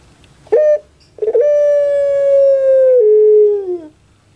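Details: Crowing Pelung chicken kept by its owner in Java, Indonesia: a short sharp note, then a long ringing tone held about two and a half seconds, stepping down in pitch and fading away.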